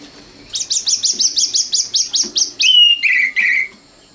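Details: Sikatan londo, the common nightingale, sings a rapid run of about twelve identical rising notes, then three lower, longer whistles that glide slightly downward.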